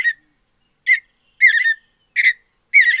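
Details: Mountain Bluebird singing in natural high-altitude habitat: short soft warbled phrases, each a brief burst of slurred whistles, separated by clear pauses of about half a second, in otherwise quiet surroundings.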